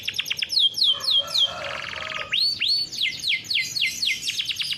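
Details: Farm-bred domestic canary's rolling song, used to coax and train young canaries: descending whistled notes, a dense rapid trill, then upswept slurs and quick repeated chirps.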